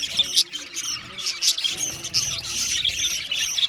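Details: Budgie colony in an aviary, loud harsh squawks and chirps in quick separate bursts, several birds calling over one another.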